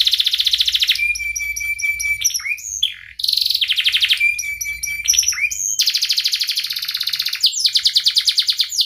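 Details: Singing canary used for training young canaries, mixing dense buzzy trills, pure sustained whistles and rapid stuttering notes in quick succession, with a low background hum.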